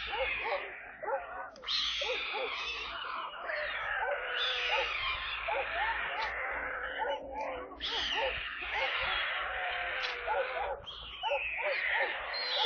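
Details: On 28 July 2022, at a nest in Kaluga region, Russia, white stork chicks give harsh, wavering, mewing calls in a continuous rasping chorus as water is delivered to them, over steady rushing noise that may be wind.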